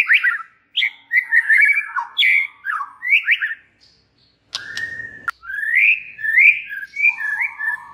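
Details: Varied, fast white-rumped shama song played to stir other shamas to answer: a rapid run of short whistled slurs and chirps, a brief pause, then a steady whistle followed by warbling rising and falling notes.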